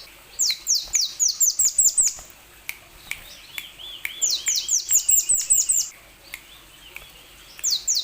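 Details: Plain sunbird song used to prompt other sunbirds to sing: rapid volleys of high, downward-swept chirps in fast series, with softer lower twitters between bursts and scattered faint clicks.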